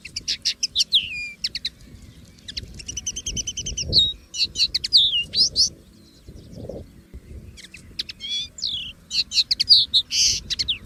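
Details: Common linnet free in nature delivering a rich twittering song of fast chirp series, buzzy phrases and descending whistled notes in repeated bursts separated by short pauses; low background hum.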